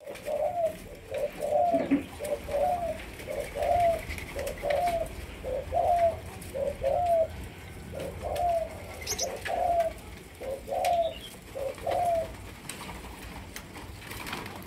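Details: Young Malaysian-strain spotted dove being trained as a decoy bird. It gives a steady series of short, low hooting coos, about one a second, each with a slight rise and fall, against faint background hiss.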